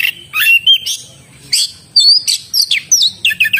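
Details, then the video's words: Oriental magpie-robin singing in a lively, varied burst of loud whistled and sweeping notes, some rising, some falling, with harsh scratchy notes mixed in between short pauses. "suara burung kacer gacor"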